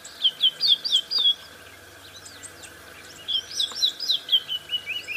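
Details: White-browed scrub robin giving a repeated phrase of quick high whistled notes, twice, the second run sliding slightly downward; faint other chirps and a low hum behind.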